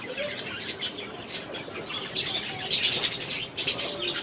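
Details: Caged budgies in an aviary chatter, starting softly, then breaking into a louder run of quick repeated chirps and scratchy notes in the second half.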